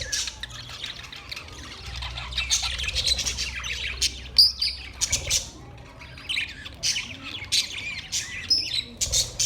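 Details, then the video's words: Budgies chatter softly at first, then louder bursts of scratchy chirps and short whistles follow in quick clusters from several birds, over a faint low hum. "Relaxing Parrot birds singing | Budgies chirping sounds"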